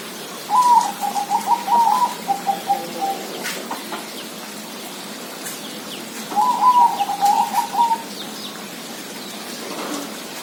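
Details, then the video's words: Zebra dove giving two long trilling coo phrases a few seconds apart, each a rapid run of bubbling notes that trails off, with faint clicks and hiss behind. "suara perkutut"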